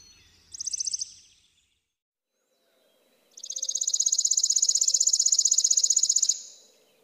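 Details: Chipping sparrow (Spizella passerina) with a short high trill, a silent gap, then a long even trill of rapid dry chips lasting about three seconds before stopping abruptly.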